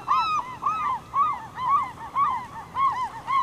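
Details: Glaucous-winged gull (Larus glaucescens) at Campbell River, BC, April 2007, where gulls slowly swallow starfish, giving hoarse, nasal, arching calls about two a second, some overlapping, over a low steady rumble.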